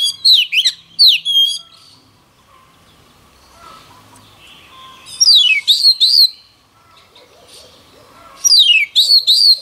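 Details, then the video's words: Daily voice practice of an Oriental magpie-robin: short runs of loud, swooping whistled notes separated by long quiet gaps, each burst holding about four to five quick, bright phrases. "Choè than hót luyện giọng mỗi ngày lên lửa nhanh chóng"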